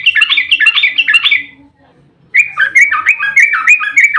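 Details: Sooty-headed bulbul singing a long rapid fighting song meant to provoke other bulbuls to reply: fast bubbly chirped phrases, a short pause, then another dense run of rolling whistled notes.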